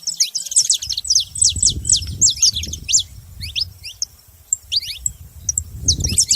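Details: A group of saffron finches chattering together in a rapid, irregular stream of high, thin descending chirps, with a low rumbling background noise that swells and fades.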